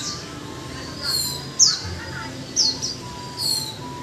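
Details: Japanese white-eye, caged for one month, giving sparse high, thin downslurred whistles spaced about a second apart over a quiet, steady background hum.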